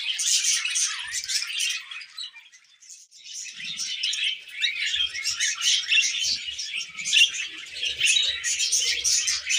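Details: Happy, tame pet budgerigars chattering: a dense, continuous stream of high scratchy chirps and warbled twitters with hardly a break, briefly dipping quieter near the three-second mark, with a few soft low knocks in the background.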